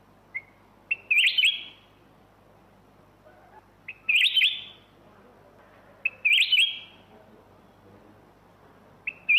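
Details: Black-crested bulbul repeating a short, bright, bubbling whistled phrase about every two seconds, each introduced by a soft single note.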